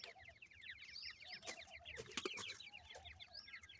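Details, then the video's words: Francolin chicks peep steadily while feeding. The sound is a busy stream of quick, high, slurred cheeps from several birds at once, mixed with clicking and pecking-like taps. "Teetar chicks ke awaz"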